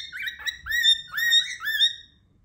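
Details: Cockatiel calling loudly, as if trying to speak a word: a rapid run of four or five rising, harmonic whistled chirps packed into two seconds, then silence.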